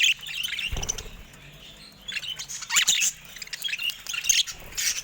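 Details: Caged budgerigars, several birds reportedly attacking a camera: scratchy high chirps and warbled chatter in bursts, with a dull knock near the start and quieter gaps between phrases.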